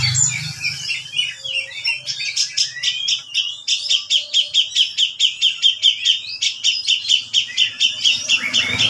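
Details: Female grey-cheeked bulbul in full cry, a rhythmic series of sharp, shrill notes about two per second. They are high and piercing and are preceded by a short, softer twittering phrase.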